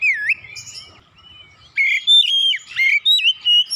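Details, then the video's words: Oriental magpie-robin singing in gacor style after being lured back into song: a low rising whistle, a quiet pause, then a burst of loud clear whistled phrases that bend and warble, with a faint low rumble underneath. "Kacer macet bunyi sekali pancing langsung semangat bunyi gacor"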